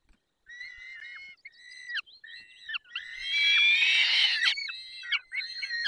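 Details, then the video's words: Peregrine falcon at feeding time in the Barycz Valley, 10:22 on 20 May 2021: drawn-out, whining calls rich in overtones, given as a series of long notes that swell midway into a louder, harsh, noisy screech before more wailing notes. "Karmienie 10:22 Dolina Baryczy 20 05 2021 sokół wędrowny"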